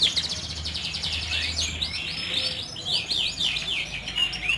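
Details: Canary singing to encourage silent canaries to start singing: fast, rolling trills shift into a series of sweeping, slurred phrases that run without pause, with a steady low rumble beneath.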